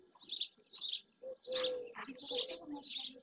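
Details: Dozens of barn swallows gather in early June, many of them juveniles, by the marsh in Doñana National Park, Andalusia, Spain. High chirps repeat in bursts roughly every half second, alongside a lower, longer tone.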